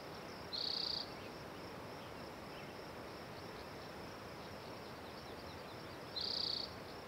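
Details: Spotted towhee song: two identical high buzzy trills, each about half a second, spaced roughly five and a half seconds apart, over a constant low rumble of background noise.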